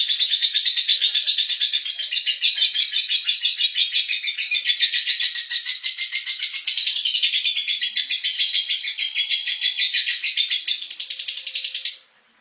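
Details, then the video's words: Lovebird delivering ngekek, its eyes closing and opening as it sings: a long, unbroken stream of rapid, high, squeaky chattering notes lasting about twelve seconds before stopping abruptly. "love bird ngekek merem melek"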